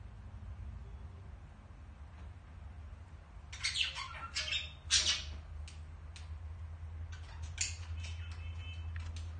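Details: Two budgerigars in a mating and courtship display: after a quiet start with low background hum, sharp squawks and scratchy chirps break out in clustered bursts, then scattered thinner chirps trail off.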